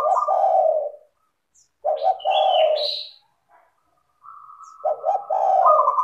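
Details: Spotted dove giving clear, tightly spaced coo phrases as a lure for other doves to sing; deep two-part coos, a rising high whistle after the second, then a long level trill leading into a final coo.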